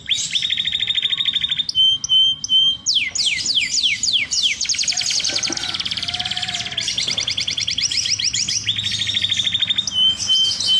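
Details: Timbrado canary song, described as fierce and powerful: a fast metallic roll, a brief steady whistle, quick downward-slurred notes, then long continuous chattering trills with a faint low hum underneath.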